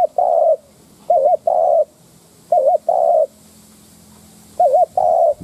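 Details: Spotted dove used as a decoy, cooing to provoke wild doves: low coo phrases of a warbling note plus a longer flat coo, repeated three times with short pauses.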